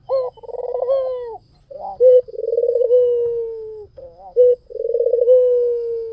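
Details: Lively white dove cooing used to draw other doves: repeated phrases of a quick loud note, a rolling pulsed trill and a long descending held coo, coming roughly every two seconds.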